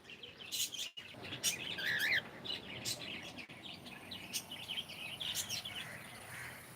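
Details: Pet cockatiel saying good morning, producing warbled chirps and a rising whistled squiggle, interrupted by two brief dropouts, with repeated sharp high clicks spaced through the phrase.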